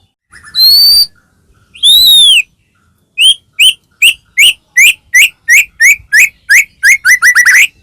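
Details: White-rumped shama, a caged bird, singing to provoke others to sing: two long clear whistles followed by a quickening series of short high chips that speeds into a rapid run.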